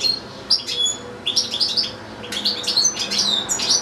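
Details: European goldfinch in a cage, housed with a second goldfinch and two young goldfinch-canary hybrids, delivering bright, tinkling twitters and liquid trills in quick clusters with short gaps between phrases.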